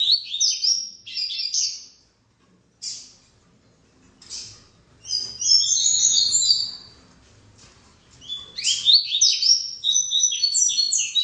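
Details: Seedeater (coleiro, papa-capim) singing: high, rapid twittering phrases of sweet slurred notes, each lasting one to three seconds, broken by short pauses, with very little background sound.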